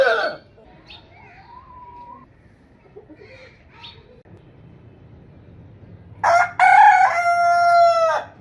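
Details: Domestic rooster: after a short call and six seconds of near quiet with faint scattered notes, a full crow bursts in, a sustained, ringing harmonic note lasting about two seconds.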